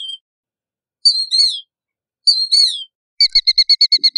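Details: Killdeer: two downslurred, two-part calls, then an accelerating burst of about nine short, evenly spaced clipped notes. A faint low sound appears near the end.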